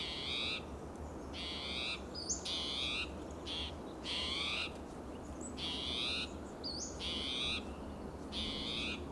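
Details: Restless spotted towhee in Del Monte Forest, California, calling persistently on a June morning amid territorial behaviour; six loud, wheezy, buzzing calls spaced roughly one to two seconds apart, with brief thin notes between and steady low background noise.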